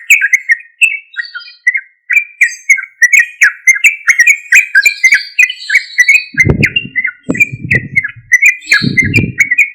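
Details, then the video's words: Sooty-headed bulbul in loud, continuous gacor singing, played as a lure to make other bulbuls respond: rapid bubbly chirps and short whistles repeated non-stop, with three dull low thumps near the end. "Suara Trucuk Gacor Keras"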